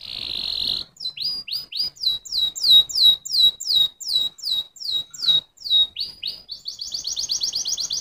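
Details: Canary song opening with a buzzy note, then a long even run of sharp downslurred chips about three per second, ending in a fast, rattling trill.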